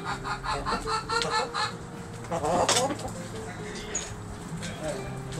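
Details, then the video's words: Hens and roosters scratching and pecking in a backyard; a rapid run of rhythmic, nasal clucks opens, followed by one loud raspy squawk, then quieter scattered clucking. "Cute Back Yard Chickens Pecking Scratching Making Noise Roosters Hens!"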